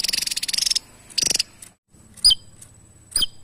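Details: Javan tesia used as a training voice for songbirds: a fast buzzy trill and a shorter burst, followed by quieter, sharp, high downslurred chips.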